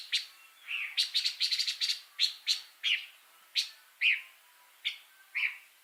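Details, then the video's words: Pancawarna bird singing energetically: a quick burst of rapid high chips, then spaced sharp notes and short downslurred whistles roughly every half second. "Kicau Burung Pancawarna Gacor Suara Kontras Super Master..!!"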